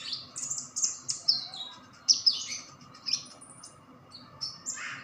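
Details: White-eye caught two days ago singing vigorously: a fast run of high, sharp chirps, many sliding downward, delivered in an uneven stream with short gaps.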